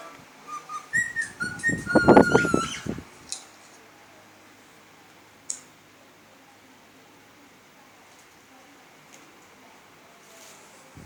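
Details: Cockatiels playing with an electric fan utter a few short whistled notes in the first seconds over a loud burst of fluttering noise, followed by near silence with a couple of faint clicks.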